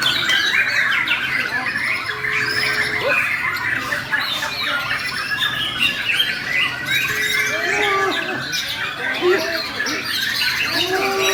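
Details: White-rumped shama of the Bornean form in an aggressive fighting-style performance, pouring out a long unbroken stream of bright whistles, trills and squeaky chatter, with occasional lower slurred whistles.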